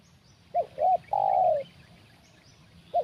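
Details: Spotted dove calling in a decoy trapping session, giving two brief rounded notes and a long descending coo, then the phrase beginning again; soft background hum and faint distant birds.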